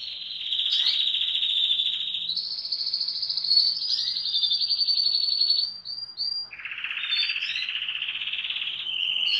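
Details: Colourful canaries singing a long chain of buzzy trilled tours that step up, then down to a lower rolling phrase, with occasional short chirps overlapping, fluid and unbroken.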